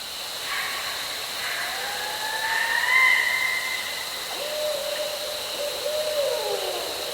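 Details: Barred owls hoot and caterwaul at night at a campsite in cypress woods at Caddo Lake, with wavering, slurred notes rising and falling over a loud, steady hiss.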